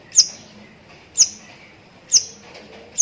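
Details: Shrike of the long-tailed kind, lovebird-filled song: piercing high chips about one per second, three full notes in quick succession and clean pauses between them.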